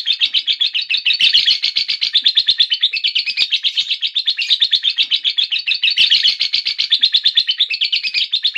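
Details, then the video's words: Lovebird giving a long ngekek chattering song: a continuous stream of fast, raspy, high chirps pulsing evenly for several seconds, with brief swells in intensity and no other sounds. "Lovebird Rajin Bunyi dan Ngekek Panjang"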